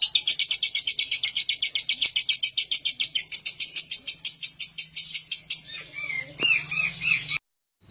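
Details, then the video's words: Lovebird in full ngekek song, described as unrestrained: a long, loud string of rapid, harsh, rasping pulses for about five seconds, then a few short upward-curving squeaky notes before an abrupt stop; a faint low hum underneath. "Love bird ngekek tak karuan"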